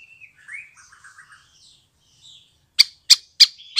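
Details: Young spotted white-rumped shama just out of the nest: faint soft twittering and warbles, then three loud sharp ticks spaced about a third of a second apart.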